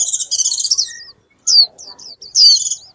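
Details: Twittering song of a wild white-eye calling the flock, with a dense warbled phrase, a pause, then short sharp slurred notes and a second bright warbling burst, all very high-pitched.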